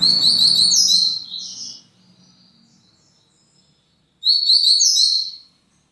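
Double-collared seedeater singing two bright, rapid bursts of high twittering notes, each about a second and a half long, separated by a pause; faint low background hum.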